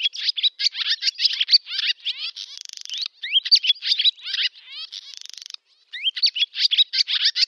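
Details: Summer song of a barn swallow in a Novgorod oblast village, Russia, August 2013: continuous fast twittering and squeaky slurred notes, broken twice by a grating buzzy rattle, ending in rising whistles.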